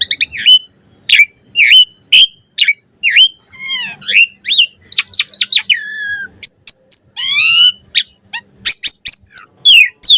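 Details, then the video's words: Asian pied starling full varied chatter recorded as a master for tutoring birds; clipped whistled notes, quick trills, level high whistles and rising slurs flow continuously with a faint low hum in the background. "Suara Jalak Suren Full Variasi Ocehan Buat Masteran & Pancingan Burung Jalak Agar Cepat Gacor Isian"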